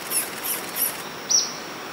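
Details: A territorial Ornate Flycatcher by a humid stream on the Manu road at Quitacalzones gives three very high, thin, sharp notes about a third of a second apart, then a lower squeaky note, over rushing water.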